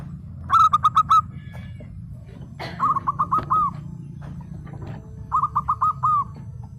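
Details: Zebra dove of local type, an eager singer that responds, repeats three short phrases of five or six rapid, clipped, rolling coos, spaced about two seconds apart, against a soft hum.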